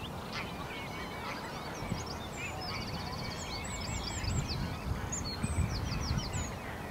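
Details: White-spotted Bluethroat (Cyanecula svecica cyanecula) singing quick, varied high whistles, chirps and a fast buzzy rattle in bursts over a low rumble of wind or distant noise, Uitkerkse Polder, Belgium, April 2017.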